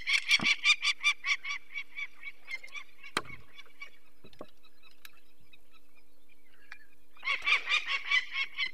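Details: Adult peregrine falcon at its nest in the Barycz Valley on 2 May 2023, alarmed as people remove one of its four chicks. Harsh, rapid kek-kek notes open the clip, then a quiet gap, then another burst of calls near the end.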